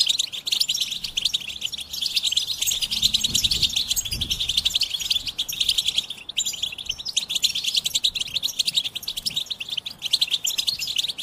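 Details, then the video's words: Goldfinch singing a dense, continuous stream of rapid twittering and tinkling high notes, with a brief pause after about six seconds before the lively chatter resumes. "Experience the Goldfinch Singing"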